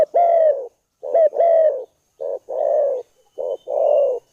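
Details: Rice-field spotted dove delivering mellow coos in pairs, short note then a longer steady one, four phrases over a few seconds.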